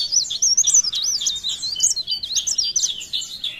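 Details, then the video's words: Leaf warbler (cikrak daun), Pare Pare, singing blereng style: a continuous stream of very high, looping, slurred whistles, fast and unbroken throughout. "CIKRAK DAUN | PARE PARE | BLERENG GACOR"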